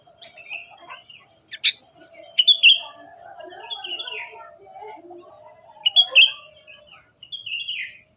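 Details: Birds singing in the morning: short, bright chirps and rising whistled notes come in scattered bursts over about eight seconds, with a steady low tonal hum running underneath throughout.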